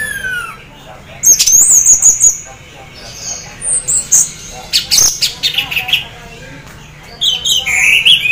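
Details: Orange-headed thrush (anis merah) in half breeding condition, singing in the teler style to draw other thrushes into song; a falling whistle, then long high warbled passages with rattling chips and sweeping notes.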